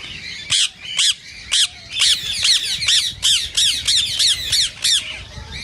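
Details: Rose-ringed parakeet (Indian ringneck), played to stimulate other parakeets to sing and mate: loud, harsh, high squawks in short bursts, widely spaced at first, then coming fast in a rapid run of repeated screeches.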